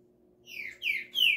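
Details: Green-winged saltator giving three loud whistled notes, each sliding downward, the last the clearest and highest, in a brief burst over a quiet background.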